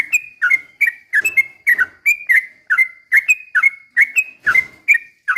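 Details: Energetic Sooty-headed bulbul song delivered as a lure to excite other birds into singing; rapid run of clipped whistled phrases, each a quick upslur then a brief level whistle, repeating about twice a second.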